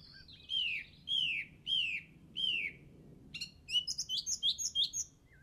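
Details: A bird on an English golf course, recorded Easter Saturday 2007, sings four drawn-out, falling whistles, then a quick string of bright chirps.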